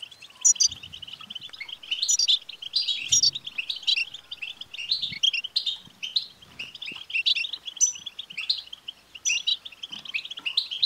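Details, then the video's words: European goldfinch twittering, intended to set a caged male goldfinch singing: dense, unbroken chatter of rapid notes with scattered high metallic trills, and soft low thumps in the background. "بتبتة لتحفيز الحسون سوف يكسر القفص لأن دكر الحسون لن يصمت دقيقة واحدة بعد سماع هده البتبتة"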